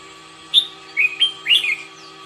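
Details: Red-whiskered bulbul training its song in the morning, giving three or four quick slurred whistled phrases in rapid succession, some swooping upward, against a faint steady hum.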